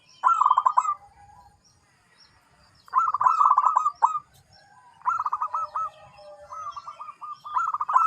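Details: Zebra dove giving pulsed, trilled cooing phrases, each closed by a softer, lower trailing note. The phrases run close together, the last ones almost continuously.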